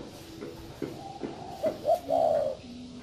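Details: Spotted dove coo: two brief notes, then a drawn-out mellow coo near the end, preceded by soft knocks and handling noises.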